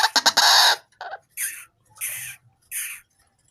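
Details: Tame White-breasted waterhen raised from a chick, calling freely at any time; a quick stutter of harsh, rasping notes, then three separate loud, hoarse squawks spaced about two-thirds of a second apart.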